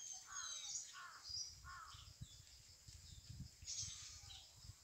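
Black-hooded oriole giving three harsh, nasal, crow-like calls in quick succession, with thin high chirps from other small birds and a low background rumble.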